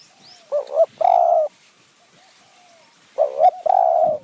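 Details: Close spotted dove, a decoy bird used to lure wild doves in high mountain forest near Kanchanaburi, Thailand. Two loud phrases of a wavering double note and a long steady coo, separated by quiet, with fainter distant coos in between.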